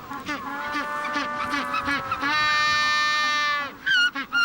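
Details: Magellanic penguin male calling near his burrow on the Patagonian coast in September mating season, head thrown back: a quick run of harsh honks, one long, loud, donkey-like bray, then a few more honks.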